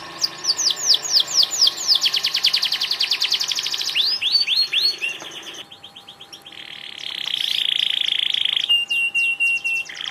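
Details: Canary singing vigorously: a varied, loud song of rapid repeated downslurred notes, fast rolling trills and buzzy sustained passages changing every second or two, with a faint steady low hum underneath.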